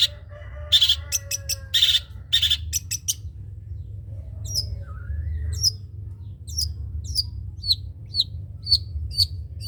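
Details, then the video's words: Long-tailed shrike, trotol type, singing as a tutor for other birds: a few harsh rasps open, then a long series of thin, high, flicked notes, with a low hum throughout. "CENDET COCOK DIBUAT MASTERAN BURUNG CENDET TROTOL"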